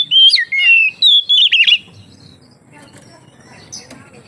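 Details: Oriental magpie-robin singing, a lively bird used to lure other magpie-robins into singing: a burst of loud, clear whistled phrases, sliding and warbling, in the first two seconds, then near quiet.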